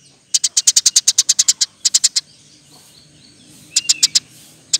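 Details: Gacor Eurasian tree sparrow singing for a bird-training recording: a steady string of about fifteen bright, high chirps, a short cluster, silence, then a few more notes with a brief whistled slur.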